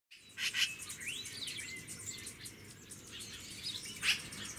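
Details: Yellow-billed Magpies in Santa Ynez, California, in January: harsh, scratchy magpie notes burst out near the start and again near the end, with thin chirps and a rising whistle from other birds between them.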